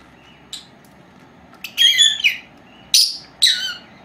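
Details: Four-month-old female lovebirds, a pair kept indoors, calling softly then loudly while resting: a faint click, a grating squeaky burst, then two sharp high chirps.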